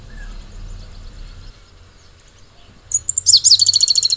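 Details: Song of the pale-headed brushfinch, an Ecuadorian endemic threatened by habitat loss. After a quiet stretch, high piercing notes open into a fast run of repeated chips, cut off at the end, with soft low rumble behind.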